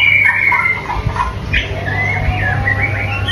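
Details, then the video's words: White-rumped shama singing more softly. Low, mellow warbles give way to gently rising and falling whistled phrases, with a steady hum behind. "Menikmati Kicauan Murai Batu"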